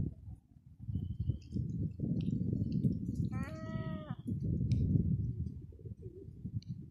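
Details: Grown herring gull calling among listening juveniles on the Eastbourne seafront, East Sussex, UK, on an April evening in 2021: one short, nasal, mewing call midway through, over a steady low roar of wind and surf.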